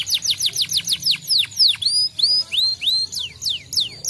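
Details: Canary song used to stimulate other canaries to sing: loud whistled downward-sweeping notes repeated rapidly, then a series of rising slurred whistles, steady and bright throughout.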